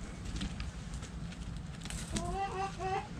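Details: Hens in a backyard chicken coop: after quiet low rustling, a burst of several short rising harmonic clucks and squawks in quick succession over steady low background noise.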